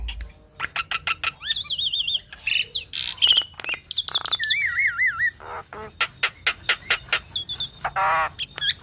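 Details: Javan myna song for training mynas and prompting them to sing. Rapid dry clicks alternate with wavering, looped whistles and short buzzy bursts, against a clean, quiet background.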